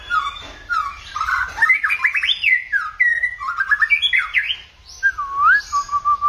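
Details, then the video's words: Many-voiced song of a White-rumped shama: dense bursts of bright, rapidly changing whistles and chattering phrases, one loud swooping whistle near the end followed by softer repeated notes, faint low rumble beneath. "kích chòe lửa hót,chòe lửa hót nhiều giọng"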